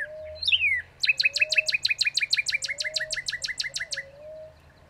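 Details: Northern cardinal song: one bright whistle slurring downward, then a rapid, steady run of around eighteen clipped downslurred notes. A low, soft whistle from another bird recurs underneath.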